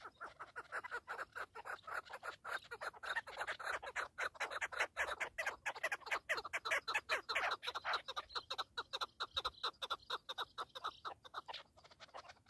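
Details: Several partridges calling together in a sustained, busy chorus of rasping, rapid notes that continues throughout and thins slightly toward the end.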